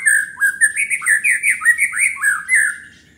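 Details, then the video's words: White-rumped shama singing energetically to get rivals heated: a continuous rich warble of rolling whistled phrases swooping up and down, with thin high overtones and no pause for about three seconds. "Murai batu gacor bikin panas"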